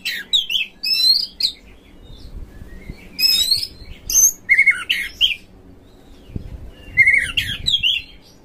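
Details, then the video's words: Oriental magpie-robin lure song aimed at making magpie-robins spread their tails, sing fully and fight: spaced bursts of sweet whistles, buzzy notes and quick chips, with clear flat whistled tones between quieter gaps. "Pancingan KACER TOP2024 bikin burung KACER Buka Ekor KONSLET bongkar MATERI FULL NGOTOT DAN TARUNG"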